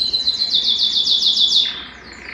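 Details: Excited canary singing with mating intent: a quick, rhythmic trill of bright repeated notes lasting under two seconds, then fading.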